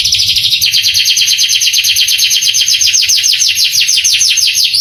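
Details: Canary song used as a masteran to stir young canaries into answering and singing steadily: loud, fast, continuous trill of rapidly repeated high notes, shifting into a rhythmic series of sweeping notes.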